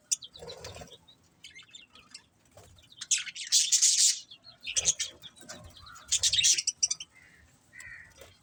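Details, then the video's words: Budgerigars chirping: bursts of high, scratchy chatter and squeaky tweets with brief quiet gaps, the loudest dense warbling coming in the middle and again near the end. "Cute Budgies Chirping Sounds"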